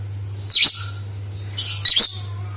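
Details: High-pitched lovebird chatter intended to make other lovebirds sing: one short squeaky burst, then a longer run of shrill twittering about a second later, with a low droning hum in the background.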